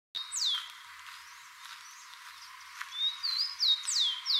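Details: Rufous-collared sparrow, known locally as pé de pilão, singing while another forages for food; thin high whistled notes, some sliding downward, grouped in a quicker run near the end, over steady background hiss.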